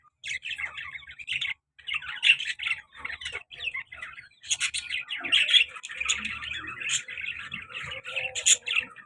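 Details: Pet lovebird pair, a male and a black-masked female, active and lively, giving shrill chirps and chatter in bursts, with short squawks and brief pauses between runs.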